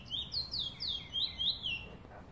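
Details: Chestnut-bellied seed finch, known in Trinidad as the bullfinch, recorded in 2018, singing a quick series of high, slurred whistled notes, each sweeping down then up, about six phrases in two seconds over faint low background hum.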